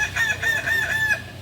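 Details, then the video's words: Crow of a Kukuak Balenggek, the singing chicken native to Solok: a high, sustained note pulsing in quick, even beats for over a second before stopping abruptly, with faint low hum beneath. "Ayam kukuak balenggek ayam penyanyi asli solok"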